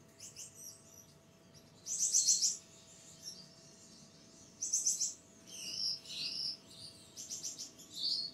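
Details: A home-bred snow-white zebra finch in Pakistan gives short, buzzy, nasal high-pitched calls in bursts separated by brief pauses.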